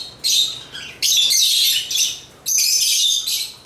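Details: African lovebirds giving intense, harsh chattering bursts, long noisy squeals broken by brief quieter moments.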